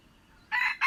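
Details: A red junglefowl, recorded 21 February 2025, opens its crow after half a second of near-silence with a rasping burst, then a second strident note starting just before the end.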